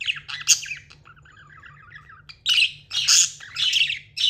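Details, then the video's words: Tamed budgerigar chirping: harsh, squawky chirps in quick bursts, a soft low warble in the middle, then a run of loud scratchy chirps with a steady low hum underneath. "Amazing budgie chirping sounds"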